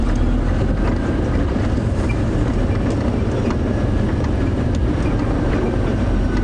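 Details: Loud, steady vehicle engine rumble throughout a sunrise safari drive, heavy in the low range, with no animal voice audible.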